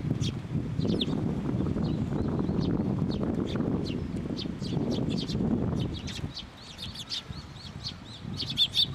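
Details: Flock of sparrows coming to a water bridge at a Tenmangu shrine for food, recorded 30 June 2023. Rapid, irregular high chirps from many birds over steady low rumbling noise that drops away near the six-second mark.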